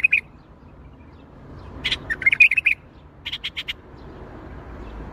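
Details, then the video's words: Bulbul song, Baghdadi style: a brief warble at the start, then a rolling cluster of bright chirps and trills, followed by four evenly spaced sharp notes in quick succession, over near silence. "تغريد بلبل طور بغدادي"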